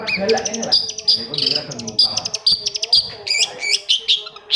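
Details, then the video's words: Long-tailed shrike song played to stir silent shrikes into singing: fast runs of high stuttering chirps and trills alternating with squeaky whistled phrases, irregular and lively. "SUARA CENDET INI BISA MERANGSANG CENDET MACET JADI RAJIN BUNYI PAGI SIANG MALAM"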